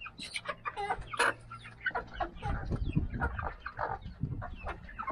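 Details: Mixed flock of chickens, including Australorp, Buff Laced Polish, Golden Polish, Rhode Island Red and Silver Laced Wyandotte breeds, giving many overlapping short clucks and squawks in quick, irregular bursts, with a low steady hum beneath.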